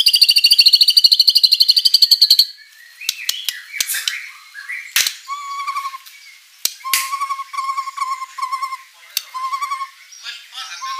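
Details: White-rumped shama in full song, filled with rich mimicked material and used as a lure to make other birds answer: a fast buzzy high trill for two seconds, then scattered sharp notes and a run of low repeated whistled chirps.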